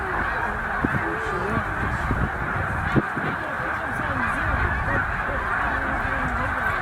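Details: Vast snow goose gathering, about 100,000 birds at Middle Creek wildlife refuge during migration to northern breeding grounds: ceaseless overlapping honks and short yelps merging into a loud, even clamour.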